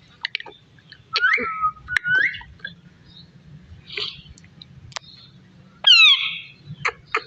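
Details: Parrot feeding on melon seeds, uttering bent whistles and buzzy chirps in bursts with quiet clicks between, ending in a louder descending squawk and faint background hum.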